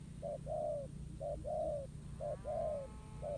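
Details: Untamed spotted dove responding to a decoy set on the ground in a trap, fighting spirit on show: three clear coo pairs, a short note then a long level-to-falling one, loud and close.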